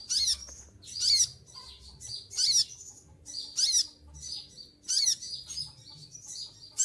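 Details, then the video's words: Caged olive-backed sunbird, moulting with feathers dropping out, keeps singing: about seven sharp, high-pitched buzzy bursts in under seven seconds, delivered at a steady pace, with a soft hum behind. "konin lagi mabung bulu rontok semua tetap gacor"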